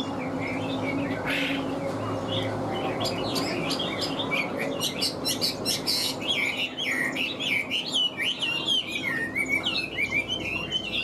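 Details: Caged Chinese hwamei singing high: softer scattered notes at first, building into a fast, rich warble of twisting whistled phrases over low background hum.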